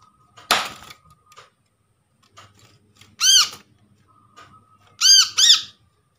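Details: Lure recording of a brown-throated sunbird, sourced from a trapped bird to attract others and stir quiet birds into calling: a clicking rattle and thin whine, then one shrill arched squeak and later a quick pair of squeaks.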